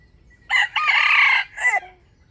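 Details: Standard crowing voice of a wild chicken used for trapping, recorded 05/07/2025: one loud, rasping crow with a short opening note, a long sustained middle and a brief falling tail, in an otherwise quiet setting.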